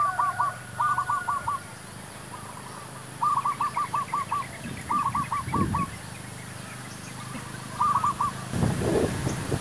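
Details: Zebra dove singing while wild doves are lured for trapping: bursts of rapid, arched, bubbling coos near one pitch, repeated several times. One series sits slightly higher, and faint low rumbling runs underneath.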